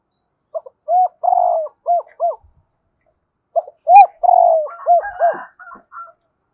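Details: Spotted dove giving thúc gù cooing. Two phrases about three seconds apart, each a short note, a rounded coo, a drawn-out slurred coo and two clipped arched coos. Faint chirping from other birds comes near the end.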